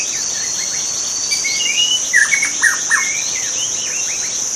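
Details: Wild white-rumped shama in natural habitat delivering a burst of song: short rising whistles, then a cluster of sharp down-slurred notes and brief trills, set against a constant shrill insect hum.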